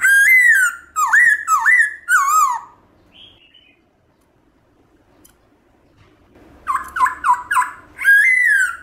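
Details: Black-throated laughingthrush singing in wild-style voice, used to spur kept birds to sing: loud whistled phrases of swooping, falling notes in quick bursts, a pause of about three seconds, then more rapid slurred whistles.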